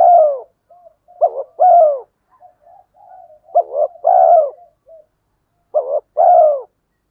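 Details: Prodding coos from a spotted dove pair, male and female, used to excite birds being trained: deep repeated phrases of two clipped notes and a long descending coo, quiet warbling murmurs in the gaps.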